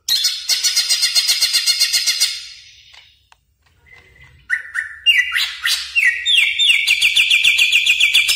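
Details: Greater green leafbird (cucak ijo) in vigorous song, used as a tutor recording for caged birds: a fast, buzzy high trill of two seconds, a brief pause, then clear whistled notes stepping upward into rapid repeated chips.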